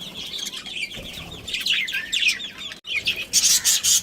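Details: Breeding pair of budgerigars chirping in fast, tumbling high warbles and twitters, ending with a harsher, noisy burst of chatter after a brief gap.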